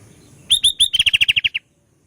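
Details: Sooty-headed bulbul in full song with fill-in phrases: three slurred whistled notes, then a fast even run of about nine bright clipped notes, ending abruptly into silence.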